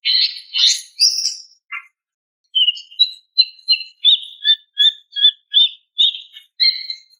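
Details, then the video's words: Greater green leafbird female calling for a male: a few rough chirps, then a steady series of short clear notes, about two or three per second, each with a lower echoing note. "SUARA BETINA MEMANGGIL JANTAN"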